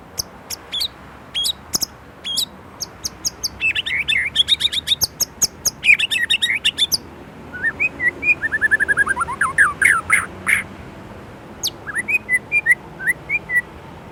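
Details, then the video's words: White-rumped shama in Indonesia singing a varied phrase: sharp high chips, then fast buzzy trills, followed by a long cascade of descending slurred whistles and a few clear rising notes near the end. "Murai Gacor isian Gurih | siap upgrade stok isian | shama bird indonesia"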